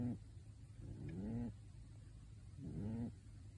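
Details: A sleeping pet pigeon in a bird suit snores. Low, rasping inhalations slide gently upward in pitch, three snores in under four seconds, with a faint background hum between them.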